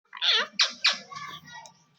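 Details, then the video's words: A pet talking parrot speaks in three quick, high, nasal word-like bursts, possibly "me too" or "maybe two", then trails off in softer, murmured chatter. "parrot best talking singing and playing"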